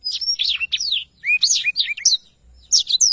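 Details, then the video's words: Lively song of a black-throated canary, recorded as tutor material for training songbirds: quick runs of high, slurred whistles and twittering notes with brief pauses between them. "blacktroath gacor cocok untuk masteran"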